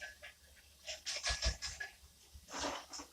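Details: Indoor pet cockatiel having fun, producing rasping, breathy chatter in clustered bursts and a couple of short scratchy squawks, with a brief quiet gap before the final burst.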